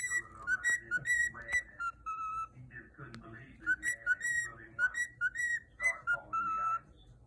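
A cockatiel whistles a learned children's tune in clear, bright notes that step up and down.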